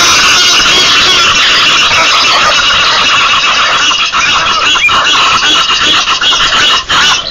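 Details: Egyptian geese fighting at a waterhole: a loud, harsh, continuous din of hoarse squealing honks and hissing cackles, dense and overlapping with no pause.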